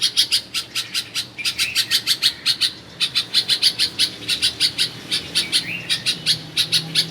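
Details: Bulbul in Karachi, Pakistan, recorded at a family home, giving steady rapid chirps in quick bursts, roughly five a second, with brief gaps and an occasional softer slurred note near the end.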